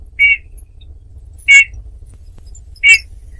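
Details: Eurasian bullfinches: three short, soft piping whistles, evenly spaced about every one and a half seconds, mid-high in pitch, with a low background hum.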